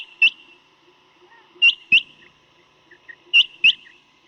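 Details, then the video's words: Quail call for hunting, from a night recording noted for its deep voice: loud, sharp, high notes delivered singly and in quick pairs, with groups spaced about one and a half seconds apart over a quiet background. "بٹیر کی کیسٹ رات والی Sound of Quails Batair ki boli"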